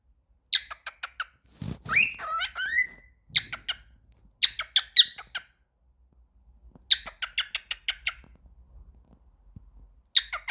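A cockatiel sings bursts of quick, bright chirps and a few rising whistled squawks.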